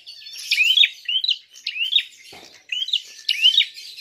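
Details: Prinia fighting call used to provoke other birds: five bursts of rising hooked chirps about every half second to second, loud and high, with a soft thump midway.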